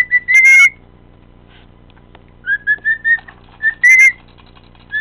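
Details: A male cockatiel whistles randomly, singing his heart out with clear, bright whistles, some rising and a few short notes strung together.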